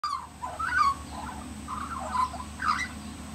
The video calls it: Australian Magpie singing